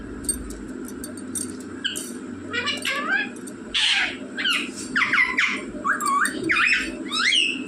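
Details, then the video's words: Rose-ringed parakeet talking, said to say mummy and papa: a run of squawky, warbling, speech-like syllables with bending pitch that grows louder after two seconds, over a steady indoor hum. "बोलने वाला तोता मम्मी पापा बोलने वाला तोता"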